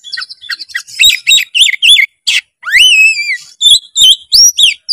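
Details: Full, rich song from an Oriental magpie-robin: fast varied chips and twitters, a drawn-out sliding whistle mid-phrase, then more crisp whistled notes, loud and clear.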